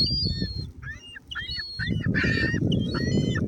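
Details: Gulls at Oyster Bay being fed, a flock giving overlapping squealing, mewing calls with harmonic, downward-bending notes in quick succession, over steady low rumbling background noise.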